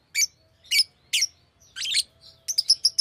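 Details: A pet Fischer's lovebird makes loud shrill screeching notes about every half second, a rasping burst, then a quick row of high piercing chirps.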